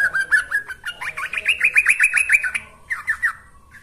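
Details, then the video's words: Training lure of a yellow-vented bulbul, a fast stream of bubbly chirps stepping upward in pitch, followed after a brief break by three quick repeated notes. "Ini Baru Pancingan Trucuk Sesungguhnya || Burung TRUCUKAN GACOR"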